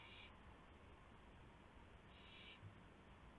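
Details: Owl at its nest around 1:00 AM, March 24, 2016, as a gopher is delivered as prey. Two rasping, hissy bursts about two seconds apart, the second lasting roughly half a second, with a faint knock near the end.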